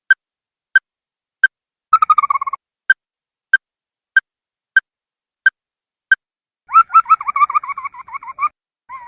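Ruddy-breasted Crake giving sharp, evenly spaced single notes about every two-thirds of a second, broken by two fast, descending, chattering trills; nothing else heard.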